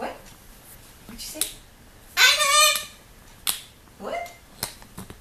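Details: Kept severe macaw at a window, eyeing a visitor. One loud, raspy squawk stands out among clicks and light taps. A fainter, short call follows later in a small room.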